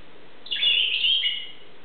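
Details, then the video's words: Grey parrot chattering indoors: a single bright whistled call, about one second long, warbling and then sliding down to a lower steady tone. "chatting away"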